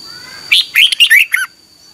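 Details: Red-whiskered bulbul singing at dawn in the tense 'ché' competitive style, used to train and provoke other birds; a single quick phrase of rich warbled whistles with sliding pitch, ending in a lower note, then quiet.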